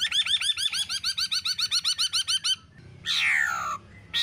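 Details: Black-throated laughingthrush female giving 'ro ro' calls alongside a male's shrill calls, meant to stimulate other laughingthrushes to sing; a rapid run of about a dozen bright, hooked, harmonic notes, then a pause and a harsh, rasping burst.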